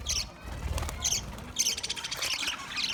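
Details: Green budgerigar making scratchy, high squawks and chirps in separate bursts with short gaps between them, over a low background rumble.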